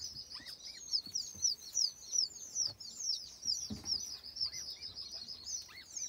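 White Eared Pheasant chicks make a busy chorus of thin, very high peeps, several per second, overlapping. A few lower, down-slurred chirps stand out now and then.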